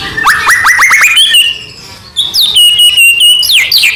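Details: White-rumped shama song intended to provoke other shamas: a quick run of repeated downslurred notes, then long sustained high whistles sliding slowly downward.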